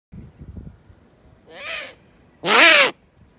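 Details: Eurasian eagle-owl giving two harsh, rasping screech-like calls, a softer one followed by a louder, longer one about a second later, each lasting under half a second, after faint low rustling at the start.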